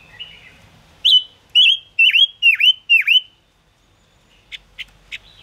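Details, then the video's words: Silver-eared mesia song for trapping use: a run of five loud whistled notes, each dipping sharply down and back up, repeated about every half second, followed by a few short high chips. "Tiếng ngũ sắc hót chuẩn 2022 dùng bẫy ngũ sắc hiệu quả"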